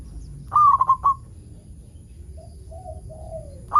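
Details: Local zebra dove song meant to lure other zebra doves into singing: one quick phrase of four stuttering coo notes, followed by soft drawn-out lower whistles, then the start of another phrase, over a faint constant high hum.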